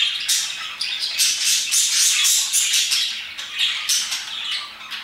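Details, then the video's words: Parakeets chattering at about 2pm: rapid, squeaky chirps and grating squawks repeated several times a second in a thick, steady stream. "Parakeets chirping and singing their hearts out"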